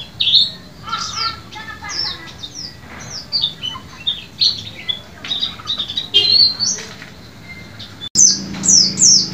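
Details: White-eye song played to coax caged birds that have gone quiet into singing: rapid, high twittering, sharp downslurred chips and short warbled phrases run together, ending in a burst of loud descending notes.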